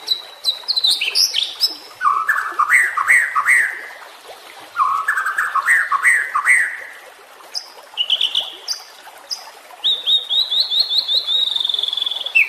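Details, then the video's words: White-rumped shama song meant to coax caged birds that have gone quiet: high whistled notes, then two runs of stepped, rising warbled trills separated by a pause, ending in short high whistles and a long fluttering high trill. "Masteran murai batu anti zonk cocok untuk murai batu yang macet bunyi"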